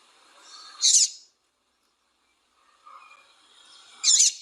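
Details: A female double-collared seedeater gives calls meant to stimulate singing in males. Two sharp, high chirps about three seconds apart are separated by silence, with a faint murmur of lower notes before the second.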